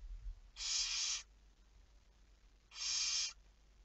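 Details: Barn owl calling on 11 May 2019 near midnight: two evenly shaped, hoarse screeches about two seconds apart, each over half a second long, in a quiet setting.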